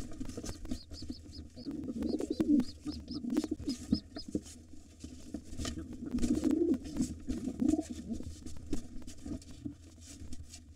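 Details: At a nest holding two nestlings, a gray wild pigeon intruder battles the white father pigeon defending it. Deep, throaty cooing swells twice through the scuffle, broken by clicks, taps and wing thumps, with a constant low electrical hum beneath.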